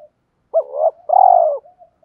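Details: Spotted dove decoy calling wild birds in the morning: a short low coo followed by a longer, slightly trilled, falling coo on a clean, quiet background.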